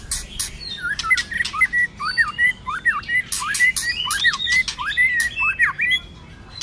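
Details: White-rumped shama giving a cold-season fighting song with many voices, clicks and tail-flicking: rapid whistled phrases, dipping and rising, broken by sharp broadband clicks and high ticks, phrases repeated about every half second.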